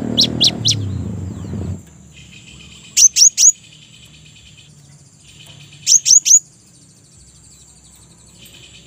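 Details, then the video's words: Cinereous tit (gelatik batu) recording used as a lure call for other cinereous tits: sharp, high, clipped three-note bursts about every three seconds over a steady high hum, with a brief low rumble at the start. "suara gelatik Gacor pagi siang sore pancingan khusus gelatik batu"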